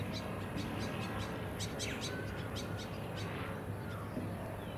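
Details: On the Sunshine Coast, Queensland, in October 2022, a Welcome Swallow gives thin, high chirps and quick twittering notes in loose bursts, over a steady low rumble of background noise.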